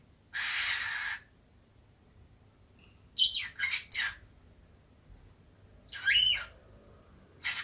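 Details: Indoor pet Fischer's lovebird, drowsing in warm sunshine: a long hissing buzz, then a pair of shrill squeaky notes, a scratchy squawk and a final sharp chirp, with quiet gaps between.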